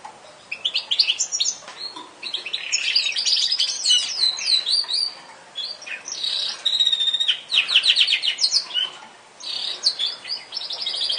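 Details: Yorkshire canary singing a dense, fast, high song of rapid rolling trills and chattering phrases, broken by short pauses, with bright whistled notes and buzzy rattles throughout.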